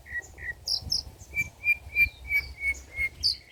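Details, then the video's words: Long-tailed shrike delivering old-style song material intended as a lure and tutor recording: a few high chirps, then a steady string of short, clear whistled notes repeated about three times a second. "BURUNG CENDET MATERI JADUL"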